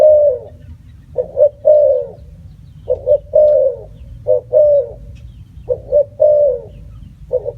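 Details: Spotted dove calling, five three-part cooing phrases: two short soft coos then a longer drawn-out coo, repeated roughly every one and a half seconds, with a low hum underneath.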